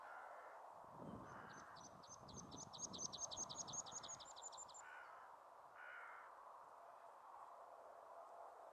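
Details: Meadow pipit singing at Bossche Broek on 22 March 2017: a fast run of about twenty thin, high, evenly spaced notes lasting nearly four seconds, over loud low rumbling noise and a few broader mid-pitched calls.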